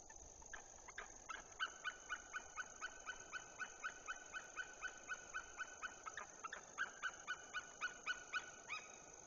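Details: White-tailed eagles, called loud, at a camera-watched nest in the Woziwoda forest district: a long run of sharp, clipped yelping notes, about four per second, steady and ringing with harmonics over a soft background hiss.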